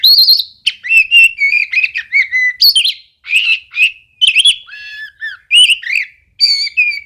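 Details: Oriental magpie-robin in full, energetic song: a rapid run of varied whistles, chirps and slurred notes, phrases tumbling one after another with only brief gaps.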